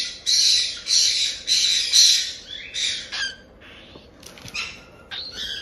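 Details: Raspy, broadband screeches from young cockatiels about one month old, kept by a breeder in Tokachi, Hokkaido. These jaa-jaa begging cries of the chick stage come in loud rasping bursts about twice a second, then fade to softer scratchy notes.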